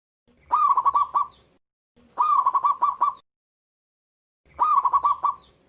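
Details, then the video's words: Vigorously singing local zebra dove with a strong voice delivers three stuttering cooing phrases, each a fast run of about five or six soft pulsed notes, spaced one to two seconds apart, slightly crackly, no other sounds heard. "PERKUTUT LOKAL GACOR SUARA BESAR"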